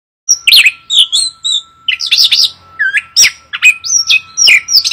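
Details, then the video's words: Chestnut-capped thrush singing loudly in a fast, varied run of rich whistled and slurred phrases, some rising and falling, with short pauses between bursts; a steady thin electrical tone hums underneath throughout. "burung anis kembang suara emas loud noise bird"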